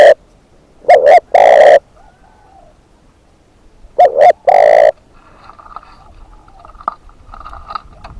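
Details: Decoy spotted dove giving loud, close coos: a soft note, a quick double note and a long hollow coo, repeated the same way about three seconds later, followed by faint background rumble and distant noise.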